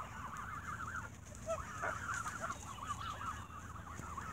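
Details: Geese squabbling while being fed bread in the evening produce wavering, overlapping honks and chatter, steady throughout with a few sharper notes.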